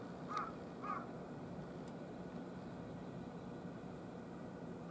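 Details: Wild carrion crow, one of three at a utility pole on a hot 14 August morning around 10:13, sheltering in the shade, gives two quick harsh caws close together, then a third a few seconds later, over a steady low rumble.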